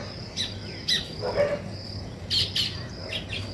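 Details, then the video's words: Weaver birds at work building a nest give short, bright chirps and buzzy, rasping bursts in irregular spurts, with quiet gaps between them. "Weaver Birds Building Nest"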